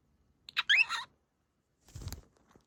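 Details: A female budgerigar chatting with her owner gives a half-second burst of bright, warbling chatter with quick squeaky twists. A short, low rustle or murmur follows.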